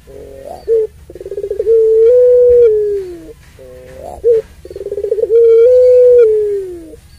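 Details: Puter pelung, a long-voiced Barbary dove, giving its long call used to provoke other doves: a short accent note, a rapid rolling pulsed burst, then a sustained, slightly falling low coo, repeated twice.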